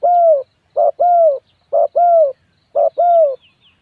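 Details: Spotted dove giving low, mellow paired coos, a short note then a longer one, with each pair repeated about once a second in quiet surroundings.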